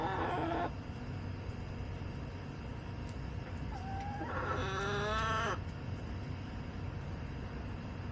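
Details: Backyard chickens on July 17, 2024: a brief harsh burst opens the recording, then after a quiet stretch a rough, harmonic, drawn-out squawk of about a second, heard over steady low background noise.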